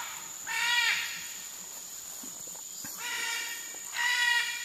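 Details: A hand-reared great green macaw released into South Caribbean forest, flying free with a flock of over 30, gives three harsh, raspy squawks, each about half a second long, over a steady high-pitched whine.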